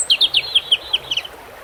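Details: European robin singing beside water: a quick series of six or seven thin, high descending notes, each with a brief sharp upper tick, spaced about every fifth of a second, over a soft background hiss.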